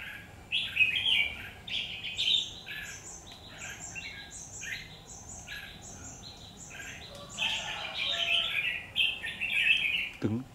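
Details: Red-whiskered bulbul singing in a fight at a trap on 17 October 2019: dense, rapid run of chirped and warbled notes, many overlapping phrases, ending with a sharp knock.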